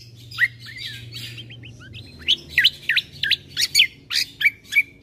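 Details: Bulbul song from a combo recording played to stir other birds into calling: soft rising slurs, then loud clipped chirps at roughly three per second, ending in a level whistle.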